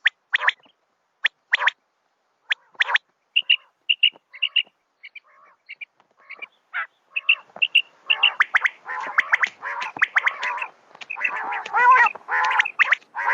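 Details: Female common quail (Coturnix coturnix) call, used for night quail hunting: sharp clicks, then quick runs of short, high, piping notes building into a dense burst of harsh, rasping chatter.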